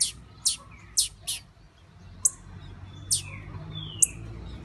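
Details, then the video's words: Breeding-ready female blue-black grassquit calling: a quick run of sharp high chirps, then sparser ones, mixed with soft downward-slurred whistles. "FÊMEA DE TIZIU MUITO PRONTA, ESSA VAI DEIXAR SEU TIZIU DOIDO."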